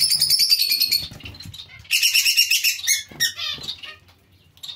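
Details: Zebra finch colony with other small finches nearby: dense bursts of nasal, harmonic beeping calls from several birds overlapping, high and bright, with a soft flutter of wingbeats underneath.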